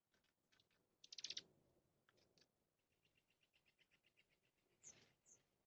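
A junco gives a quick burst of sharp chips, then a soft, even trill of rapid high notes, ending with two thin, high tsip calls.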